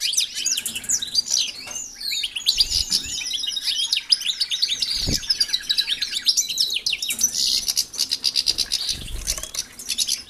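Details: Caged European goldfinches sharing a new aviary with canaries: a continuous high, rapid twittering song of sweeping chirps and trills running for about seven seconds, with a few soft low thumps beneath.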